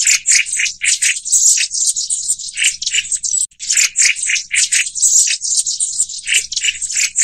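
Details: Black-throated tits (Aegithalos concinnus) keep up a dense, high-pitched chatter of thin buzzy notes and dry rattling churrs, several birds calling over one another almost without pause.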